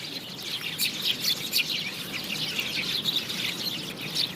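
House sparrows chirp continuously in overlapping, bright notes with many birds calling at once, under a soft hiss of background noise.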